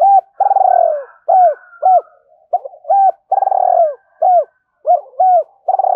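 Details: Spotted dove in Hải Hậu-style calling meant to provoke wild doves into cooing: a dense series of long rough purrs and short bent coos, about two phrases each second, almost without pause.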